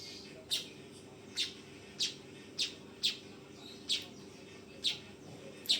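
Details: Crisp high chirps from a fledgling weaver, eight in about six seconds and spaced fairly evenly, with a low hum in the background.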